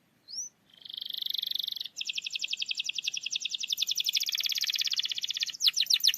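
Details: Canary singing, offered as a trigger for a canary that will not sing: one upslurred note, a smooth high buzz, then a long rapid pulsed trill closing with a few louder sweeps over light hiss.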